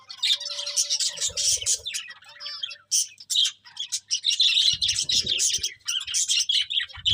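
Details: Pet budgerigars chirping in rapid, high, squeaky warbles with sharp clicking notes, in long runs separated by short pauses, plus faint low knocks.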